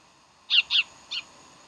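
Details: Bald eagle from Decorah, recorded 15 January 2012, giving a quick burst of three shrill, squealing chirps, the first two back to back and the last softer, against a faint steady hum.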